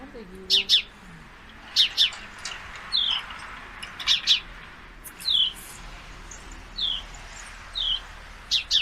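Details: Male sparrow making sounds while two female sparrows fight nearby. Bright double chirps come in pairs, mixed with short downward-sliding call notes, repeated irregularly over a low hum, with a brief lower squeak at the start.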